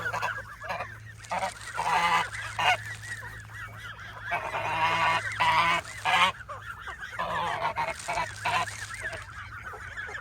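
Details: Canada geese clamouring while fed nuts: loud bursts of overlapping honks come in waves separated by brief quieter gaps, a crowded, insistent chorus above a low constant hum.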